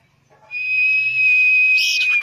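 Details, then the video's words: Common iora song used as bait to get birds singing: a single sustained pure whistle, level and high, lasting about one and a half seconds before a short harsh buzzy ending, with a faint low hum underneath. "bird sound bait to make it sing quickly"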